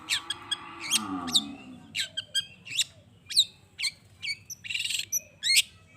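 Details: Long-tailed shrike, sung to stir rival shrikes into answering: after a brief low wavering drone, a run of harsh, high squawks and sharp chirps with one short buzzy rattle, spaced irregularly under half a second apart.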